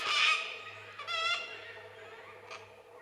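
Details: Wild cockatoos in Mount Lawson State Park woodland, shouting at a passing cyclist on an icy cold day, seemingly to warn her off: a harsh raspy screech, a shorter ringing squawk a second later, then a faint third call over low hum.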